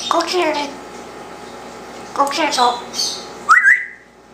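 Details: Indoor pet Congo African grey, a one-year-old male, talking and whistling; two speech-like phrases separated by a pause, then a bright rising whistled note that trails away.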